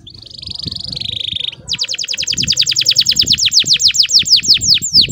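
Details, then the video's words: Canary in full lively song, a lure recording with long rolls and pauses meant to coax young birds into learning sounds: a steady high buzzy roll for over a second, then a rapid series of sharp, high falling notes, growing louder. "PANCINGAN KENARI GACOR NGEROLL PANJANG JEDA, BAGUS UNTUK MEMANCING BURUNG PAUD BELAJAR BUNYI"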